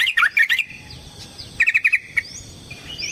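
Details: Yellow-vented bulbul in rapid fighting song, used as a lure: two quick clusters of bubbly, warbling notes separated by a pause, with a few thin rising whistles and light clicks behind.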